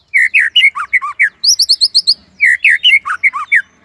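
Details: White-rumped shama singing a gacor tembakan Cililin song, offered as a masteran to upgrade other shamas' repertoire: loud whistled phrases with sharp down-and-up slurs, then a burst of high, rapid repeated notes, then renewed slurred whistles.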